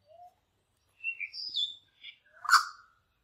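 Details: Two young male Australian lyrebirds squabbling over territory: a short sequence of varied notes, a low whistle, rising and falling chirps, then a loud harsh burst, all in quiet surroundings.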